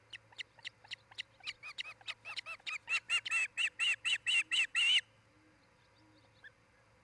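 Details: Osprey pair at their nest in Charlo, Montana, picked up by a nest camera on 10 July 2018: a long run of about eighteen sharp whistled chirps, quickening and growing louder, then breaking off into quiet background hum.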